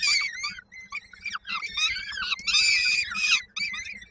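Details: Peregrine falcon young at Koszalin, Poland, 19 May 2022, calling for their mother to bring supper; thin whistled and wheezy screams come in quick irregular bursts, some drawn out and rising.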